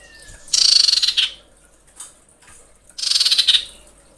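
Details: Female common iora calling to males: two loud, buzzy, rapidly pulsed bursts high in pitch, each under a second and about two and a half seconds apart, with a faint thin whistle before the first.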